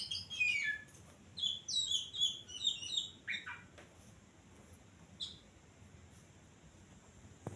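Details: Common tailorbird singing vigorously at night; a lively burst of sharp, high chirped notes repeated rapidly for about three seconds, followed by a few isolated chirps and quiet background.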